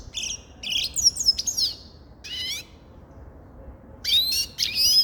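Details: Grey-crowned goldfinch giving short bursts of high, bright twittering notes with quiet gaps between phrases over soft background noise.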